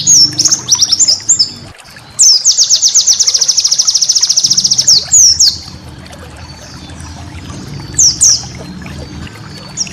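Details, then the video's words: White-eye master song for cage-bird training: scattered high slurred notes, then a fast even trill of thin notes for about three seconds, followed by quieter gaps and a few late downslurred whistles over low rumble. "masteran burung pleci"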